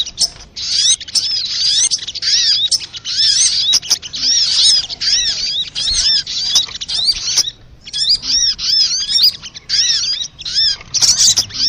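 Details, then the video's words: High, twittering sunbird lure calls meant to pull birds in and set them singing: quick arched chirps strung into long chattering runs, with short breaks near seven and a half and ten seconds. "SUARA PIKAT BURUNG SOGOK ONTONG RIBUT AMPUH BIKIN SOGON NEMPEL PULUT"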